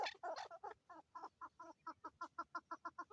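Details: Chukar partridges, male and female, in Swat, Pakistan: a few loud raspy opening notes, then a steady, regular series of short clucking 'chuk' notes, roughly five or six per second.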